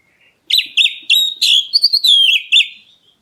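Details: Black-breasted kacer, the Oriental magpie-robin, calling to make other birds reply. A fast, tightly packed series of bright whistles with rapid up-and-down inflections, rising briefly near the middle before easing lower.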